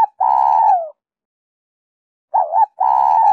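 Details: Spotted dove singing a Giọng Kim two-ending lure song to attract wild doves: a long coo drooping at the end, a quiet gap, then a wavering coo and another long coo, clean recording.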